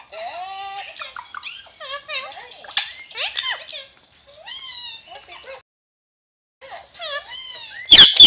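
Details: Alexandrine parakeet, called Pakistani ringneck, talking: rapid, speech-like chatter of curved, harmonic-rich syllables rising and falling, a short pause, more mumbled words, then a loud harsh screech at the end.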